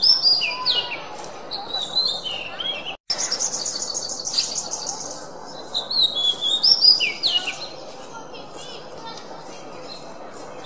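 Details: Song of an oriental magpie-robin made for training songbirds: varied whistles and slurred notes, a brief silent break, then buzzy rapid trills and more whistled phrases, fading toward the end.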